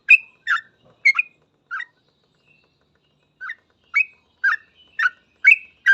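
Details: Yellow-vented bulbul 'ropel' song: a few rapid bright chirps, a silent gap of about two seconds, then a fresh string of quick chirped notes running to the end.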